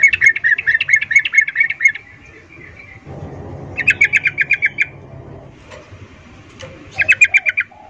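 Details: Female sooty-headed bulbul calling males, an excited mating call in the ngecuplik style. It gives rapid bursts of sharp bright chirps, about eight a second, in three runs separated by pauses, over a low steady hum.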